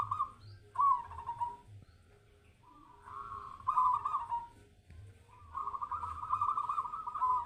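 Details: Local zebra dove (perkutut) during a mental test, singing three rolling, trilled cooing phrases, each about a second long, with short pauses between, over a steady low hum.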